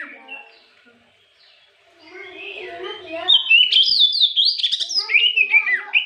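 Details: White-rumped shama singing in the afternoon as a lure to provoke other birds; quiet background chatter gives way to loud, rich whistled phrases with rapid descending and rising notes.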